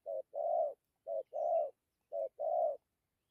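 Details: Spotted dove coo in the dặm kèm gù manner: three clean, evenly spaced phrases, each a short soft hoot followed by a longer rounded coo, with nothing else audible.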